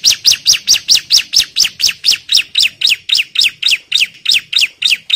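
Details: An agitated bar-winged prinia challenges a rival with a steady, rapid series of high, slurred chip notes, each dropping in pitch, about three to four each second without pause.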